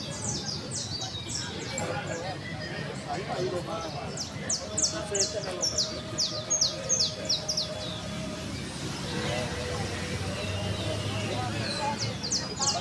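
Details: Canary (Serinus canaria) singing bursts of rapid, high chirping notes strung into fast trills that come and go, over a steady low hum and faint indistinct voices.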